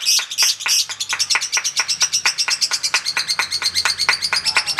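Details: Competing lovebird delivering ngekek panjang, the long chatter: a few bright, piercing notes to start, then quick, evenly repeated high chips, roughly three each second, with a faint low hum underneath.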